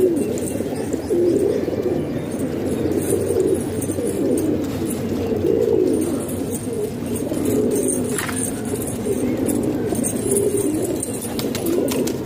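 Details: Kept pigeons in a Pakistani house murmur continuously, soft deep coos swelling roughly every second or two from many birds at once, with light clicks and rustling heard above.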